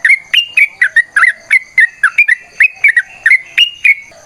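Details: Long fighting song of a sooty-headed bulbul, used to encourage other bulbuls to sing: evenly spaced, rich whistled notes with occasional quick doubles, some notes bending sharply upward.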